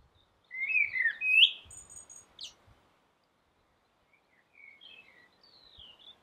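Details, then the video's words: Common blackbird on a rooftop: a short burst of fluted, slurred whistles tipped with a high squeaky note, then quiet, with faint thin chirps from further off. "Blackbird singing"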